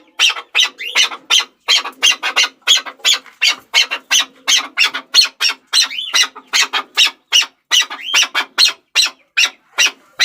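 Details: Harsh, scratchy notes from a Chukar partridge in a rapid series, about two and a half per second, with a couple of brief rising squeals mixed in.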